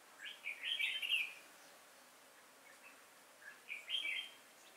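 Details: Red-whiskered bulbul used as a lure bird in trapping, singing on 5 October 2018. A long rich warbled phrase of bubbling notes is followed, after a pause, by a shorter matching phrase.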